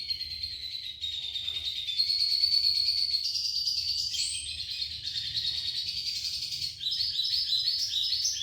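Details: Red siskin in full gacor isian song, delivering an unbroken, high-pitched, scratchy twitter that ends in fast, clipped repeated chirps.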